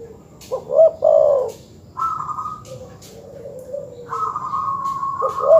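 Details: Terkukur or perkutut dove cooing to provoke rival birds: a strong rounded coo, then a level higher tone, softer falling coos, another long flat tone, and a final coo.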